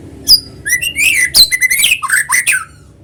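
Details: White-rumped shama singing in a lure recording meant to set other shamas singing: a brief sharp note followed by a run of fluty slurred whistles and rasping buzzes, fading out at the end.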